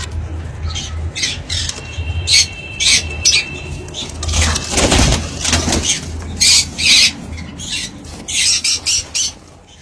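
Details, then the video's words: Rose-ringed parakeet chicks during a feeding, giving harsh, raspy broadband begging bursts in short irregular runs, roughly every two seconds, over a steady low hum and some handling noise. "Ringneck chicks beauties on 1 time feeding"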